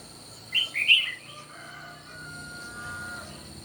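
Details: Red-whiskered bulbuls in a morning singing contest: a quick burst of two or three bright, clipped whistled notes, then quieter pauses over a steady high electrical whine.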